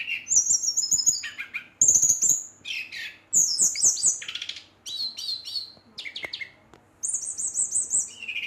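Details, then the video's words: Brown-chested jungle flycatcher singing excitedly to provoke rival birds of its kind: high whistled phrases and rapid trills, some falling in pitch, broken by short pauses. A man speaks briefly afterwards. "Sikatan Rimba Dada Coklat ngamuk memancing emosi srdc lain"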